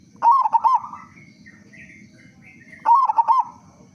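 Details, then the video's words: Two loud rolling coo phrases from a local zebra dove, about 2.5 seconds apart, meant to coax other doves into song, with faint higher chirps from other birds and low background hum between them. "Perkutut Lokal Gacor Suara Besar Pancingan Burung Perkutut Agar Cepat Bunyi"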